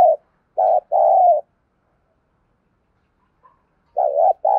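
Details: Decoy spotted dove whose cooing is meant to stir other doves to call: a short coo, then a paired rough coo, a long silent pause, and another pair of low wavering coos at the end.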